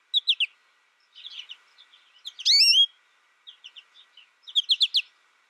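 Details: American goldfinch giving clusters of thin twitters, then one long, clear, rising whistled note in the middle, followed by more bright chattering notes.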